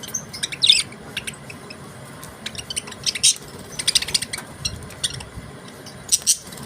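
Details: Australian budgerigars chirping: a lively series of short, high, scratchy chirps and clicks in irregular bursts, with several dense clusters of rapid notes scattered through and quieter gaps between them.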